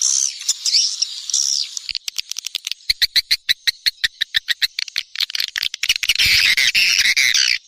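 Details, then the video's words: SP Neptunus lure sound for drawing swiftlets in the rainy season. High twittering opens, then a clear series of sharp separate clicks repeats rapidly before dense shrill chirping returns at the end. "SUARA PANGGIL BURUNG WALET"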